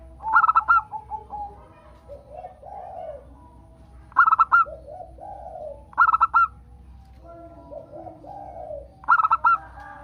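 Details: Local zebra dove cooing, a training recording meant to prompt other doves to sing: four bright staccato coo phrases near 0.5, 4.3, 6.1 and 9.2 seconds, each followed by softer, lower rolling notes, over a faint low hum.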